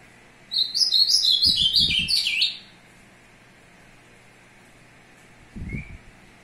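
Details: Courting azulão, 02/06/2022: a two-second burst of sweet, rapidly delivered notes that slide downward, then silence broken only by low thumps and a faint short upslurred sound.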